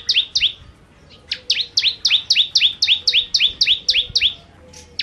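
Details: Rapid, insistent song of a bar-winged prinia in the 'gacor nembak nembak' style: a few opening chirps, a short gap, then a steady run of high, falling two-part notes about four each second.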